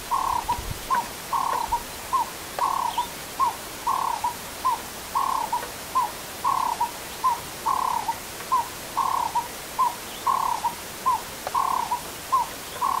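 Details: Burchell's coucal, out in the open on a misty morning on the S28 road near Crocodile Bridge in Kruger, gives a long, steady series of hollow, mellow hoots, about one and a half a second, over a soft background hiss.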